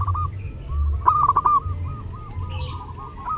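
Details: Zebra dove singing briskly during Lebaran, used as a master recording: a rolling cluster of coos followed by evenly spaced soft notes, about three per second, with low background hum and a short high rustle.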